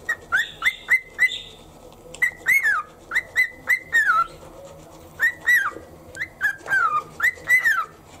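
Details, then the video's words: Pet cockatiel happily whistling to the beat of toothbrushing in the morning: lively clusters of short ringing whistles, some gliding down at the end, repeated through the passage with small pauses. "歯磨き中のリズムにノリノリのオカメインコ Cockatiel sings to the rhythm in toothpaste."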